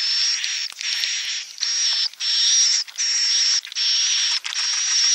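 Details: Roosting call of edible-nest swiftlets in the klepek-klepek style, for attracting the birds: long rasping hissy bursts with a thin high whistle riding on top, broken by brief clicky gaps, repeating steadily in a continuous loop.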